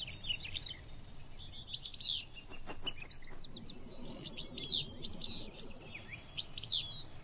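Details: Willow Flycatcher on the Kern River Preserve on a cool morning, near a river where it nests, giving a sneezy, buzzy 'fitz-bew' roughly every two seconds over other small birds chirping and a low rumble.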